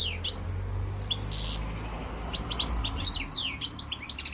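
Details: Competition goldfinch, subspecies balcanica, performing for an internet world championship held by a Serbian breeding association. High twittering phrases and sharp chirps sit over a loud low hum and background room noise.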